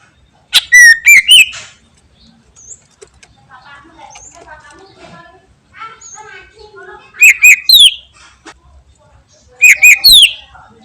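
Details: Greater green leafbird singing in full, lively voice: loud clusters of sharp whistled notes that slide and bend, separated by softer twittering and chattering phrases.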